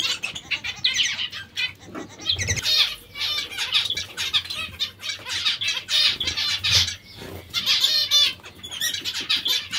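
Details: Zebra finches feeding on vegetables, giving dense overlapping nasal, buzzy call notes in quick bursts, with brief soft thumps and gaps between clusters.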